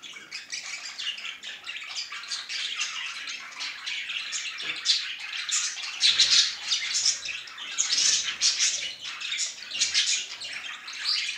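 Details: Male budgerigar expressing affection with a long unbroken warble: fast rasping chatter mixed with squeaky and whistled notes, growing louder and busier in the second half.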